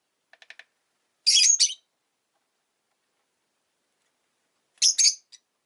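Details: Rosy-faced lovebird kept as a pet, giving two short bursts of harsh, high, scratchy chirps about three seconds apart, preceded by a few faint soft ticks, with quiet background otherwise.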